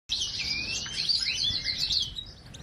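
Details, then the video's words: Goldfinch song, a continuous rapid twittering of high buzzy and liquid notes with quick sliding whistles, sustained for under three seconds without pause. "GOLDFINCH Chirping Sounds"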